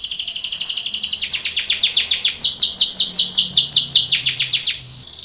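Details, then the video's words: Belgian canary training song for contest: a loud run of quick repeated sweeping chirps, nearly three a second, steady and bright for almost five seconds before stopping abruptly. "canary training song for contest / canto Canário belga cantando"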